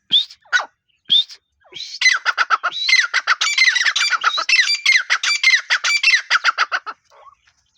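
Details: Grey francolin, known locally as irani teetar: a few sharp opening notes, then a fast, harsh run of repeated squawking, metallic calls, about three per second, fading at the end.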